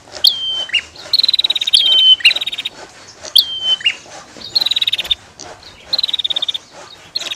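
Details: Bar-winged prinia pair, female and male: repeated sharp descending whistles interleaved with rapid ticking chatter, six or seven phrases delivered close and clearly.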